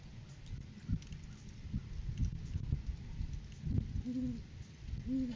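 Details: Great horned owl recorded on a live cam on 7 January 2023, during courting season, as the male brings a food gift to the female; two short arched hoots near the end over steady low rumbling background noise.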